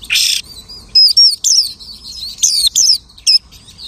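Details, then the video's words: Lark imitating the songs of other birds: a harsh buzzy burst opens, followed by short separate phrases of bright whistled notes that rise and fall. "The lark imitates the singing of hundreds of birds."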